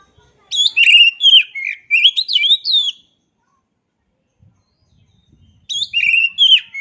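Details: Oriental magpie-robin pouring out a lively sequence of whistles, trills and buzzy notes. A silent gap follows, then a fresh phrase begins.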